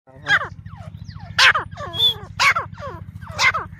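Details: Grey francolin call used to lure birds for hunting: loud, harsh, descending notes repeated about once a second, with a steady low buzzing drone underneath.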